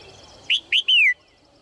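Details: A female red-whiskered bulbul gives a single phrase meant to stir males into song: two quick rising chirps followed by a drawn-out descending whistle. Soft high chirping from other birds sits in the background.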